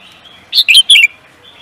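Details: Songbird used in singing races calling out three loud, pure, high-pitched notes in fast sequence, the final one gliding down, in near silence.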